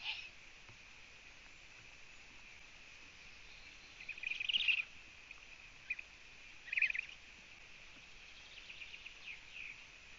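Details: Eurasian eagle-owl chicks on a Latvian nest live camera, 4 June 2017 at 05:09 before dawn, mother absent and little food, give two short, hissing rasps a couple of seconds apart over a steady high-pitched background hiss.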